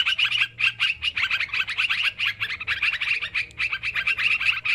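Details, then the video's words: Sooty-headed bulbuls calling noisily in a lure recording for bird trapping: bursts of sharp, bubbling chirps, several birds overlapping in uneven clusters with brief gaps. "Suara Mikat Trucukan Ribut"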